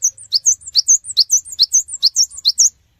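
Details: Cinereous tit in full song, used as a lure to prompt other birds to respond: a rapid run of very high, thin, slurred chirps in quick pairs for about two and a half seconds, clean and without background.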